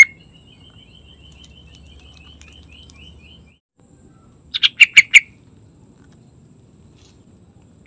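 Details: Morning song of a yellow-vented bulbul, played to coax other bulbuls into singing: a faint high trill early on, then a burst of four loud, rapid, bright notes, and another note starting at the end.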